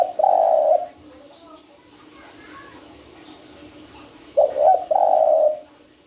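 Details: Spotted dove lure call used for trapping: a low hollow coo held for nearly a second, a quiet gap, then a broken two-part coo ending in a longer drawn-out note, with faint murmuring in the background.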